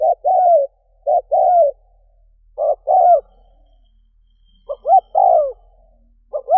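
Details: Spotted dove decoy calling, used to provoke wild doves into answering quickly: low hollow coos in short groups, a quick double note followed by a longer falling croon, with pauses between phrases; otherwise quiet.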